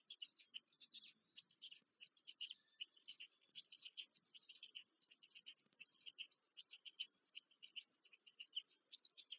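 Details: Feeding time at a black stork nest, Łódź, Poland, 14 May 2023. The young keep up a steady, fast stream of high twittering notes in short clusters, unbroken throughout, over a faint low murmur.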